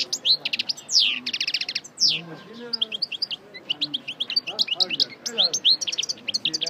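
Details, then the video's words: Parva goldfinch, coupleur style, singing again after its moult: bright rattling trills and fast liquid twitters at high pitch, one buzzy burst after another, with soft low background noise. "Chardonneret Parva Coupleur Sortie De Mue Repasse Le Chant"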